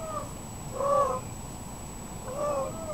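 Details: Indian peafowl giving three nasal, cat-like wailing notes about a second apart, the middle one loudest, over a faint steady high whine.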